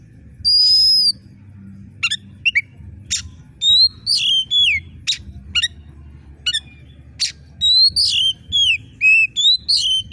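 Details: Oriental magpie-robin singing a sharp, screeching gacor song used to excite contest birds at the hanging pole: a long high whistle, then quick clicks and swooping downslurred whistled phrases in dense succession over faint low hum.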